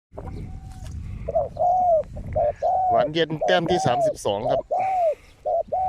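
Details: Decoy spotted dove on a ground-level decoy site after a storm: low hoarse coos in short groups, mixed with a burst of other harmonic calls or voices midway and rustling background.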